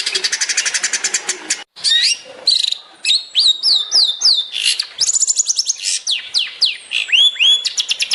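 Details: Master recording of a long-tailed shrike in 'tembakan' style for training songbirds: dense rapid buzzy trills break into varied high whistled slurs and chirps, some rising, some falling, delivered in quick bursts with short pauses.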